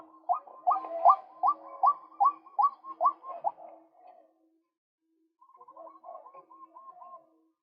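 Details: Male white-breasted waterhen, recorded for luring birds. Steady, evenly spaced croaking notes repeat about two and a half per second for four seconds, then after a pause a softer, faster series of bubbling notes follows.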